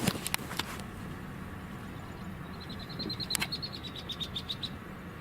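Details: A Marsh Wren gives a quick, dry rattle of high, evenly spaced notes lasting about two seconds, with a male wood duck nearby, over a low rumble of wind or traffic and a few handling clicks.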